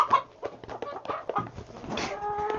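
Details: A hungry domestic hen at the chicken coop gives a run of short, uneven clucks and squawky notes close by, while a man talks over them.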